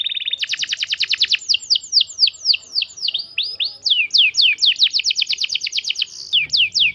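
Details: Lure song of a young domestic canary, used to get other canaries singing: a brief steady tone, then a dense rapid trill running into a long series of loud downward-sweeping whistles repeated several per second.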